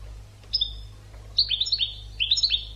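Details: European goldfinch on a tutor recording for training birds: a brief high whistled note, then bursts of quick, liquid twittering phrases, each made of bright downslurred notes.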